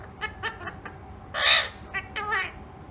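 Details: Pet ringneck parrot talking: a series of short harsh, harmonic-rich squawky syllables, with one loud, broad, raspy burst in the middle followed by quicker chattering notes.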